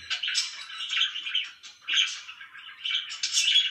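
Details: Pet budgerigars give loud, raspy chirping in three swelling bursts of rapid twittering notes with brief dips between them.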